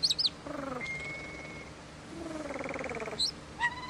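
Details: A common starling (Sturnus vulgaris) sings a long song: a jumble of sharp high chirps and whistles with two stretches of low, rapid buzzy rattles and a long, level, thin whistle.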